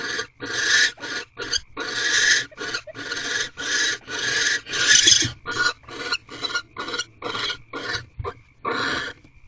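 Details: Barn owl pair in nest box C before dawn, 17 March 2023. The male delivers prey, then they mate. A rapid run of scratchy, rasping hisses, many short and some drawn out, continues almost without pause for nine seconds.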